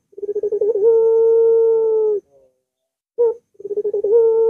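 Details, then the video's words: Barbary dove singing, a recording meant to coax a silent dove into song. A stuttering pulsed lead-in swells into a sustained low hoot. A brief sharp note follows after a pause, then the stuttering opening begins again. "Puter Macet Puter Malas Bunyi Langsung Ngaut"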